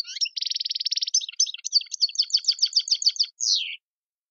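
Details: Goldfinch song of the tiwawati type, phrases like sepla and saw saw: opens with an even rattling buzz, then quick repeated high chips about three per second and a closing downward-slurred whistle; clean recording.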